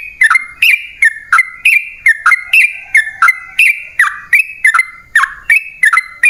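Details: Sooty-headed bulbul, locally trucukan, used as a lure to make wild birds sing back. A steady run of short bubbly whistled phrases, each starting with a sharp click-like attack, repeats several times per second.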